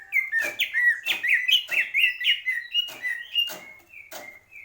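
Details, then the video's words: A greater green leafbird sings a busy warble of rising and falling whistles at mid pitch, punctuated by regular sharp clicks, then trails off into longer flat notes. "cucak ijo purwo mendem gadong"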